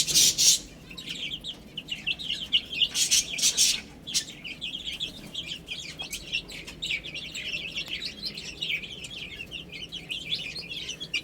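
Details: A flock of baby chickens peeps continuously while eating and drinking. Dense, thin, descending notes tumble over each other, with loud noisy bursts near the start.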